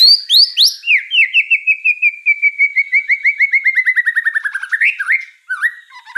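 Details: Murai song for masteran training of champion birds: sharp rising whistles open into a long series of about twenty-five quick, evenly repeated slurred notes that slowly drop in pitch, ending in a few twisting whistled phrases.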